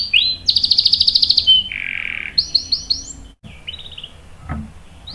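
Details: Canary song with rolls, used to lure and tutor young canaries: rising whistle, a rapid bright trill, a low buzzy note, then softer swooping whistles after a brief pause and a faint click.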